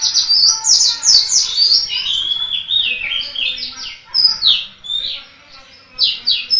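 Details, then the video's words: Local Malang Indonesian white-eye, or pleci, in full persistent song: fast streams of high, sharp chirps and slurred downward whistles in bursts, with a brief quieter pause before the twittering resumes. "Burung Kacamata Pleci - Mata Puteh Gacor"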